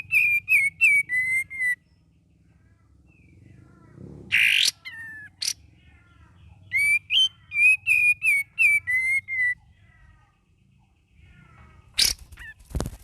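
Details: Young sooty-headed bulbul learning to sing, full of variation: loud clear whistled phrases around mid pitch, series of short slurred notes repeated rapidly in bursts, with a harsh rising buzzy note and sharp clicks between.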